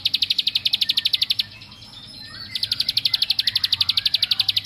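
A bar-winged prinia pours out a fast, even series of high, sharp chip notes, several per second, pausing briefly before resuming at the same pace.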